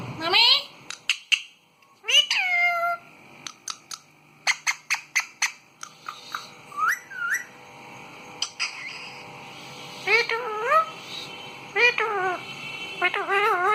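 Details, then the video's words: Parrot mixing sharp clicking pops, short looping whistles and wavy chattering calls over about fourteen seconds, the notes coming in quick irregular bursts. "मिठू की प्यारी सी आवाज"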